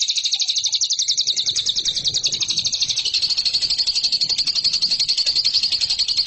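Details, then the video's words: Lovebird in a masteran recording meant to train champion competition birds, delivering a continuous high, rapid, rattling trill that later tightens into finer, faster pulses. "MASTERAN LOVEBIRD RAHASIA BURUNG JUARA"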